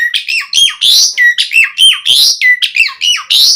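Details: Jalak suren, the Asian pied starling, sings a lively phrase of repeated squawky chirps mixed with short dropping whistles, each note clipped and bright, cycling in a fast, regular pattern, meant to stimulate caged birds into song.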